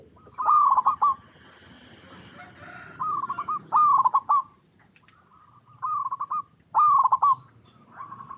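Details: Local perkutut, or zebra dove, sings repeated loud rippling coo phrases about every one to two seconds, each a quick run of staccato notes, with soft hum beneath.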